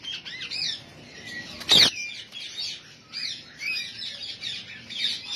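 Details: A white-head blue ringneck parakeet breeder pair chatters in a steady stream of high, scratchy chirps and squeaks. One loud harsh squawk or wing flurry breaks it near the start.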